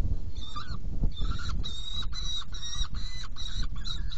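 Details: Feeding time at a saker falcon nest box, 17 June 2018, 10:31: insistent, raspy calls repeated roughly every half second, evenly spaced, over heavy low-pitched background rumble.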